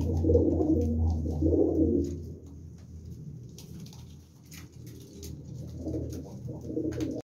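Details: Domestic pigeons, high-flying sky-piercer type: low muffled cooing bursts in the opening seconds and again near the end, over a steady low hum with scattered clicks.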